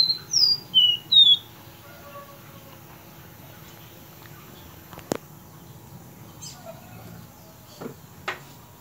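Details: Capped seedeater giving its common song, recorded on Thursday 9 May 2019: three clear, high whistled notes slurring down and up in quick succession at the start, followed by quiet background with a few sharp clicks and faint distant chirps.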